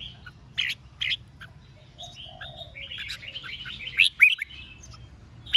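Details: Red-whiskered bulbul competitive song used to provoke rival birds: a pair of sharp chirps, then slurred whistles and a busy, chattering warble with emphatic notes near the end, over low hum.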